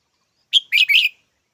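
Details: Single loud phrase from a red-whiskered bulbul: a high clear note, then a pair of rough, buzzy chirps in quick succession, with no other sounds.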